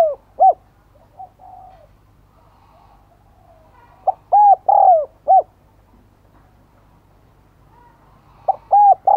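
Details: Caged decoy spotted dove calling to attract wild birds: three bursts of soft, low coos spread over several seconds, each a brief pickup note and paired longer hooting notes with a dropping end.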